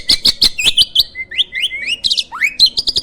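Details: Champion starling with a loud voice, used to train competition songbirds, gives quick sharp chirps, then a rising series of slurred whistles and a final upward sweep, followed by bright staccato notes.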